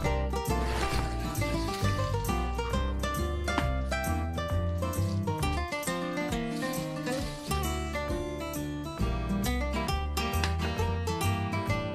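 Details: Guitar music plays throughout with steady rhythmic strumming, and no animal is heard.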